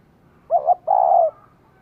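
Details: Female spotted dove stimulating a male with one phrase: two quick low hoots, a brief gap, then a long steady coo with a slightly falling end.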